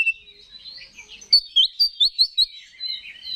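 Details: Oriental magpie-robin singing to goad other males; quiet warbling gives way to six loud, evenly spaced whistled notes, then softer sliding phrases.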